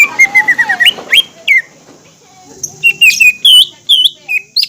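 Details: Lure recording of green leafbird song meant to excite young, spotted juvenile and group-kept birds. Varied whistled phrases, some wavering and some upslurred, come after a pause and then as loud looping notes. A continuous high tone sounds behind them.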